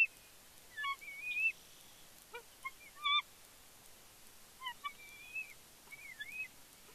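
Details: Young female bald eagle returning to the Big Bear nest on 31 May 2022 as her father brings a fish, squeeing excitedly. Scattered high whistled squeals, some wavering up and down, mixed with short chips and pauses.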